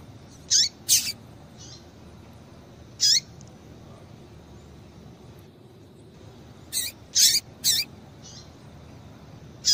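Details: Female double-collared seedeater calling to stimulate a male to sing: sharp, high chips, each dropping in pitch, given singly or in quick pairs and triplets with irregular gaps, about eight in all over a low steady background hiss.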